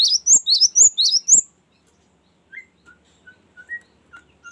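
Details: Long rolling song of a Cinereous tit, used for luring and training birds: a quick run of six sharp, high two-note chirps lasting barely a second and a half, followed by faint scattered lower whistled notes.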